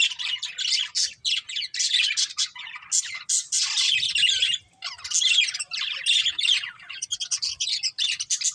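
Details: A breeding pair of budgerigars keep up continuous high, harsh chattering and squawky chirps with only brief pauses.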